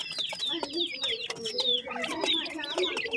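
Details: Teetar chicks, a kind of francolin, give thin, descending whistled cheeps about every half second over a low, softer murmur of other chick notes.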